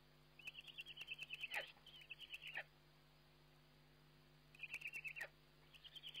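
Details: Eurasian eagle-owl on a webcam during feeding, 29 May 2011: fairly quiet bursts of high, quavering trilled calls, two close together, a pause of about two seconds, then two more, over a low electrical hum.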